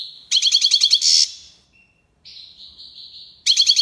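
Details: European goldfinch from Algiers singing in the tiwawati song style: a high whistled note, a rapid burst of pulsed tinkling twitters, a brief pause, then a sustained slightly wavering whistle before the twittering returns.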